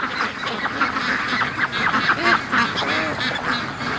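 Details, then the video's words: Free-range duck flock in its morning rush, many birds quacking together in a rapid, uneven jumble of short, hoarse calls. "Ducks' Morning Rush Is Getting Faster & Faster"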